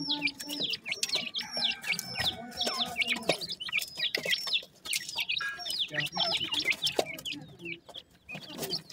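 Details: A group of francolin chicks gives a constant chorus of high, thin, downslurred peeps while feeding. Frequent clicks and tapping sounds can be heard, along with faint lower tones.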